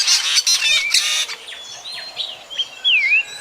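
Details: Drongo call used for trapping birds at night, 2024: a rasping chattery burst at the start, then a run of thin whistled slides, ending in a loud V-shaped whistle that drops and climbs back.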